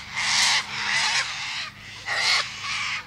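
A cockatoo gives four harsh, raspy screeches in two pairs, each about half a second long, with a short pause between the pairs.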